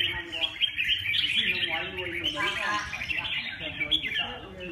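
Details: Red-whiskered bulbul giving dense, rapid chirping and warbled phrases, bright and twittery, running without pause; low human voice murmurs underneath.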